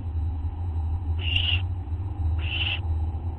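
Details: Owls on a live camera at night, August 24, 2011: two drawn-out hissing screeches a little over a second apart against a continuous low hum.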